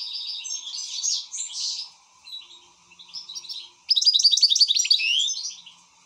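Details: Excited European goldfinch with soft twittering phrases, a pause, then a loud rapid burst of ringing repeated notes; steady hum in the background.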